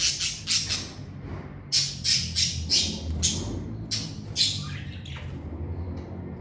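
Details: Shrill, clipped squawks from pet lovebirds come in quick bursts, some with a squeaky whistled tone, over a low room hum, fading to softer calls toward the end.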